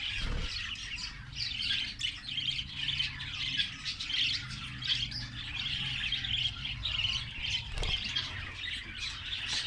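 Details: A colony of Australian parrots in Karachi gives a steady, dense chatter of high chirps and squeaky warbles. Many birds call at once with no pauses, over a faint low rumble.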